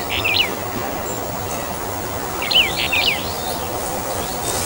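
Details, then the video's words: Brown bullfinch of the Taiwan endemic subspecies uchidae, a bird of mid- to high-elevation forest, giving two short bursts of soft, high whistled notes in quick pairs, with steady background hiss. "褐鷽(褐灰雀)/Brown bullfinch"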